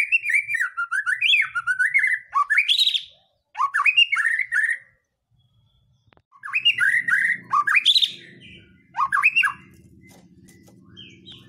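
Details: Song of a white-rumped shama meant to stir other birds to sing: bursts of rapid rising and falling whistled notes separated by pauses, with a faint low hum in the background.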